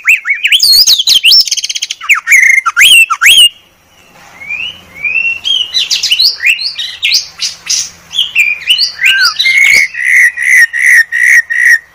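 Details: Clearest masteran song of the white-rumped shama (murai batu): rich fast-changing whistles and sweeps, then a long series of rapid repeated ringing notes about three per second.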